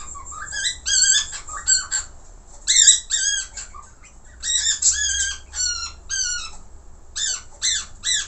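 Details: Falk budgerigar in full active song with many varied phrases: clusters of bright, harmonically rich chirps, each rising then dipping, delivered in short bursts about every second with brief pauses between.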